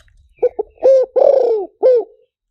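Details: Spotted dove call played through a loudspeaker to lure doves: two short soft introductory notes, then three longer falling coos, the middle one drawn out, with a faint low rumble at the start.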